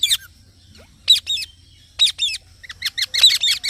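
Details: Green parrot giving bursts of high, harsh chirps in short clusters separated by brief silences, ending in a quick repeated series.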